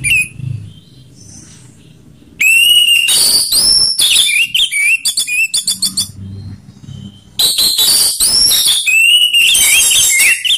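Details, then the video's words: Orange-headed thrush singing in the ngeplong style, mixing rough and slow song. Fast, varied whistled and chattering phrases with sharp upslurs and trills, repeated rapidly after a quiet opening second or two. Low background hum. "Perang Anis Merah Ngeplong/ suara kasar vs suara slow"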